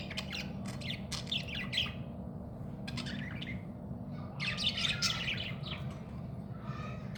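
A budgerigar gives bursts of scratchy, chattering squawks and chirps over a steady low hum.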